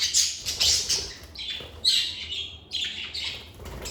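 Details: Indoor pet lovebirds give loud, buzzy squawks and grating chirps in close succession, some notes drawn out and slightly descending, with a faint hum underneath.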